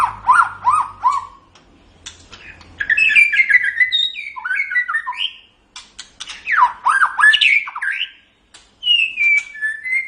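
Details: White-rumped shama, a kept songbird used as a training tutor, singing a varied run of rich whistled phrases, rising and falling slurs around the mid range, with short pauses between bursts.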